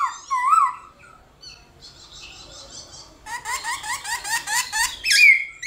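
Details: Black-throated laughingthrush in morning competitive singing: a wavering whistled phrase, a quieter lull with thin notes, then a fast repeated chatter of short rising-and-falling whistles, ending in a bright high whistle.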